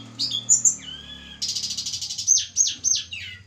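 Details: Snowy-browed flycatcher from Java, kept for pairing, sings thin high whistles, then a buzzy rushing burst followed by repeated sharp downslurred notes over a low steady hum.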